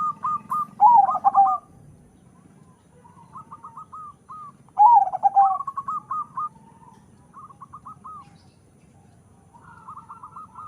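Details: A crossbred zebra dove of local and Bangkok blood, bred for a powerful voice, gives two loud descending rolling coos around four seconds apart, each set among softer runs of quick hooked notes.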